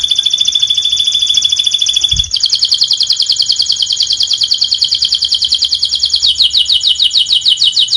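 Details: Canary song from a masteran tutor recording meant for birds that have stopped singing. It is a continuous, loud, rapid trill of high buzzy notes that shifts between phrases of different speeds, with a brief low thump near the start.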